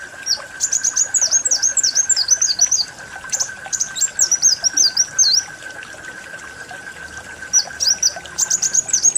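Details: Full twittering song of the kolibri wulung sunbird, used as a lure: quick strings of high, thin swept notes in bursts with short pauses, a constant hum underneath.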